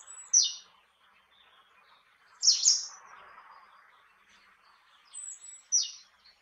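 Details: High, short notes from a great tit: a brief sharp chip, then a louder double note about two seconds later, and a fainter pair near the end, over a soft background murmur.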